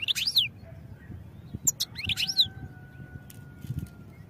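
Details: European goldfinch singing for training purposes: quick bright twitters and down-slurred chirps in two short phrases, then a thin steady tone in the background, with low rumble throughout.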